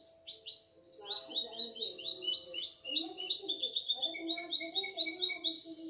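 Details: Goldfinch × canary hybrid aged six months in continuous twittering song: quick stepped high notes and buzzy trills rolling on without pause, over a steady low hum of background sound.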